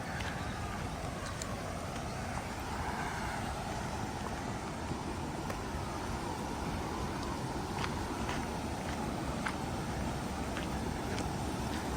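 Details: Steady roar of road traffic with a few faint clicks, and no clear animal voice.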